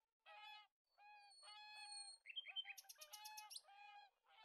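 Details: Whooper swans (Cygnus cygnus) giving loud, bugling trumpet calls, several overlapping honks in quick succession with a rich, nasal ring.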